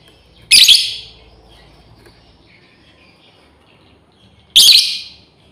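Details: Calling female lovebird summoning companions gives two piercing, harsh screeches spaced about four seconds apart, each short and ringing briefly afterward, with near silence between them.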